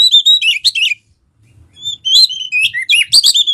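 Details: Singing Oriental magpie-robin (kacer), used to prompt another bird to sing: a quick burst of whistles and chatter, a one-second pause, then a richer run of slurred whistles and sharp notes.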